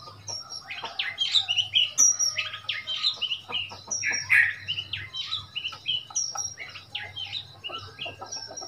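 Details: Oriental magpie-robin recorded in Thailand on 15 February 2021, a wild bird arriving at a cage, giving a quieter, busy stream of varied chirps and short whistles against a low hum.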